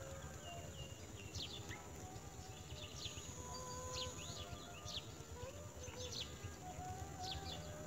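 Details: A myna chick in the nest that seems not to have had enough food begs with thin, quick sweeping squeaks, repeated about every second, over a steady low rumble and faint hum.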